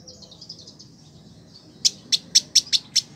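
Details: Village indigobird, kept a year as a tutor bird in Bandung, West Java, Indonesia: a soft thin warbling phrase, then six loud, crisp high chips about a quarter second apart.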